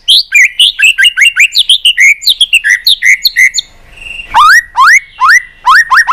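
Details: White-rumped shama fighting song meant to rouse other birds to compete: fast stuttering whistled chirps, then a pause and loud rising whistles repeated in a clear, ringing pattern.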